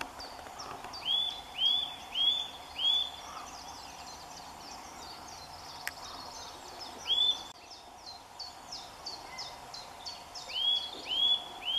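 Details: Early March song of a Eurasian nuthatch in bright sun: a series of four clear upward-curving whistles, a brief gap, a single whistle, then further whistles, over a constant background of thin, high chirping from other birds.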